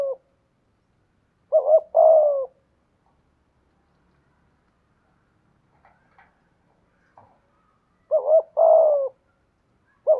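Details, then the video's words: Spotted dove kept as a decoy bird, praised for its excellent 'giọng thổ' voice style; two low cooing phrases, each a short note followed by a longer, hoarse coo, roughly six seconds apart with quiet between and a few faint clicks. "Chim Cu Mồi/ cu gay giong tho cuc dinh"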